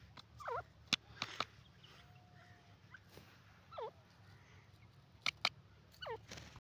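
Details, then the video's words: Grey francolin (dakhni teetar) uttering soft curved notes that dip and rise, repeated at intervals of a few seconds, mixed with sharp clicking taps and a low continuous hum. "dakhni teetar ki awaz"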